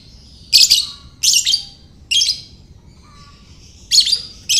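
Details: Lovebird calling to lure other lovebirds: rapid series of five grating, shrill chirp bursts, roughly one per second, each with a stuttered, buzzy texture, plus faint thin whistled notes between some bursts.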